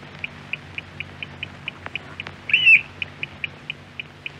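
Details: Eurasian oystercatcher from a Norwegian radio archive recording: soft high pips repeated about four times a second, broken by one louder, strident piping note near the middle.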